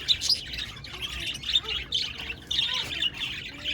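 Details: Several budgerigars recorded on 1 November 2023 keep up a dense, busy chatter of scratchy warbles and short chirps, rising and falling in quick bursts about every half second.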